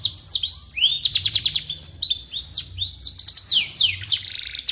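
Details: Canary song offered as tutor audio for training white-rumped shamas: a fast varied run of bright whistled sweeps, rapid trills and buzzy rolls, shifting pitch every fraction of a second.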